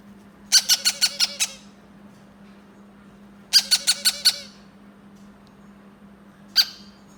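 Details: Hand-fed yellow-crowned amazon chick squawking in bursts: a rapid string of six harsh, rasping squawks, a pause, five more in quick succession, then one lone squawk, with a constant low electrical hum beneath.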